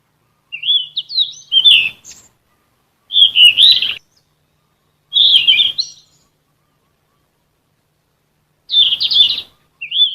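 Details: Sikatan emas flycatcher (Ficedula) singing continuously for songbird training: four bright, chattering phrases of warbled whistles spaced about two to three seconds apart, on a silent background.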